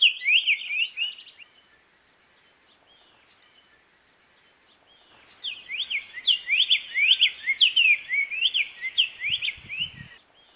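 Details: Black-faced tanager (Schistochlamys melanopis) song: a brisk run of sharp, sweet chirps, a pause, then a longer fast warbling phrase, with a faint steady high whine and a few soft thumps near the end.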